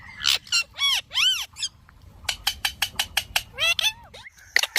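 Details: Indian ringneck parrot, a pet talking bird, gives arched harmonic squawk-like syllables, then a quick string of short staccato chatter notes and a final upward squeak.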